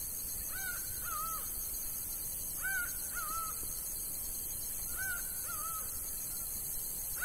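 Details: A laughing falcon in the sertão of Bahia, Brazil, calls in loud two-note 'wah-co' phrases about every two seconds over a steady high insect hiss.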